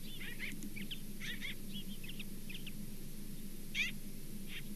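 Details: Osprey calling at the Charlo nest on 27 September 2023, a quick run of high, slurred chirps in short bursts, ending with one louder whistled yelp and a softer note, against constant low background hum.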